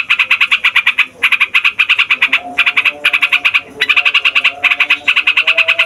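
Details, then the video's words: Yellow-vented bulbul delivering a long rolling song meant to make other bulbuls sing. Rapid rattling trills come in bursts of about a second, with faint softer background chatter between phrases. "TRUCUKAN FIGHTER NGEROLL PANJANG BIKIN SEMUA JENIS BURUNG OCEHAN EMOSI"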